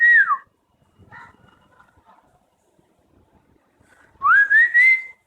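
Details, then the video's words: An Asian koel near a home answers a person's whistles in a call-and-response lasting about 45 seconds: a clear falling whistle, a quiet gap, then a rising whistled phrase climbing in three quick steps. "Conversation With A Koel/Cuckoo Bird!!"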